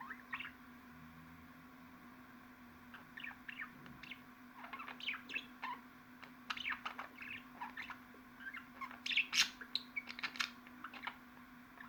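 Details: Budgerigar chatter that begins quietly with scattered chirps, then builds into busier twittering and sharp squeaks toward the end, over a low continuous hum.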